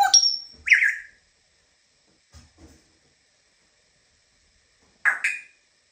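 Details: African grey parrot at home giving a few sharp whistled notes and short squawky syllables, a high thin whistle near the start, then a gap and two more brief calls about five seconds in.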